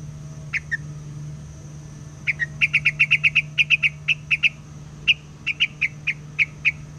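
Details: Captive white laughingthrush used as a lure bird, singing nonstop out in the forest during bird trapping: bright, clipped chirping notes in a quick uneven series after two opening notes, with a steady faint hum underneath.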